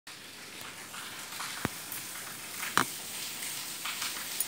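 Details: Hissing, sizzling background noise with a few sharp clicks, and no animal call to be heard.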